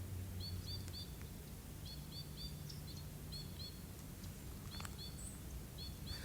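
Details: White-winged Crossbills at Sax-Zim Bog, northern Minnesota, on a dead-calm October 1 morning in the upper 30s give short, bright, doubled upslurred 'wink' notes in quick bursts, scolding a perched Merlin, over a low rumble of wind or distant noise.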